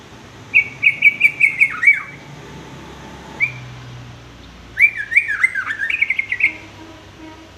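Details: Sooty-headed bulbul, a song model for young males; a rapid string of repeated whistled notes that slide downward, a lone note, then a bubbly rising-falling phrase.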